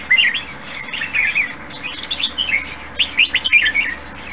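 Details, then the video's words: A caged red-whiskered bulbul with a fine voice pours out a near-continuous chain of short, sweet warbled notes rising and dipping, with brief gaps and a soft background hum. "หล่อ เสียงดี ไม่มีอาการเสีย !! แต่งอีกนิดลงแข่งได้เลย"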